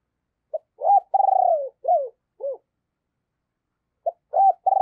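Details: Spotted dove kept as a decoy, calling in a low, hoarse voice to lure rivals: a clipped note, a long vibrating coo and two falling hoots, then the phrase starts again.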